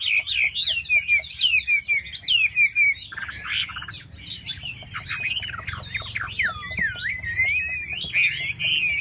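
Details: A Chinese hwamei sings as it fans and flourishes its tail, pouring out looping, warbled whistles that wind up and down in quick succession, with a brief rougher burst midway and soft ticking noises throughout.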